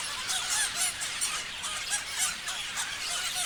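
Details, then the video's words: Parrots calling together in a pulsing chorus of sharp chirps and squeals, with louder bursts recurring several times a second over a constant twitter. "Parrots chirping sounds"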